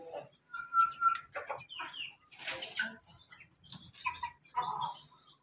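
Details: Ayam ketawa (laughing chicken), linked to pelung and Bangkok chicken crosses, crowing loudly: a steady mid-pitched tone followed by a busy run of short choppy notes, with other fowl calls and scattered noises overlapping.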